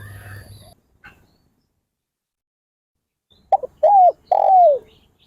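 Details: Spotted dove giving a short phrase of three soft, low coos, the last one longest and arched, after a brief stretch of quiet.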